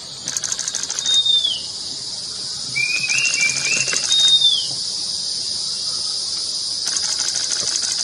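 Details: Long-billed wren-babbler in the Mishmi Hills, Arunachal Pradesh, giving two high, thin whistles that slur downward about three seconds apart, with lower warbled notes between, over a steady shrill insect drone.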